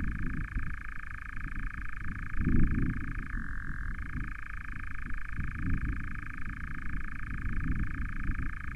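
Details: A nightjar, one of three interacting near an osprey nest cam on 09/07/20, churrs in a dry, even, mechanical trill held without a break, over low rumbling wind or mic noise.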